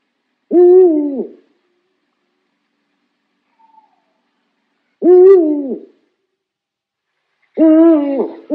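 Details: Owl giving three separate drawn-out hoots, each a wavering, slightly falling mid-pitched note under a second long, spaced roughly two to four seconds apart, with silence between.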